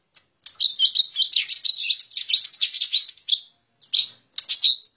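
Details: Lesser green leafbird lure call used to attract wild birds: a continuous three-second stream of fast, high chirps and twittering whistles, then a short pause and a few sharper separate notes.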